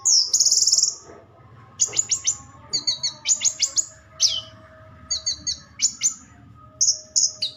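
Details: Orange-headed thrush singing high, sharp chattering notes and rapid rattles in clustered bursts, each phrase about a second apart.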